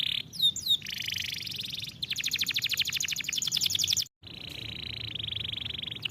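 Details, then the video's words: Canary singing, recorded for training other canaries: brief curling whistles lead into a warbled tone and a dense, rapid chattering trill, then a momentary break before a smooth sustained roll. "Este poderoso som de canário é adequado para treinar seu canário"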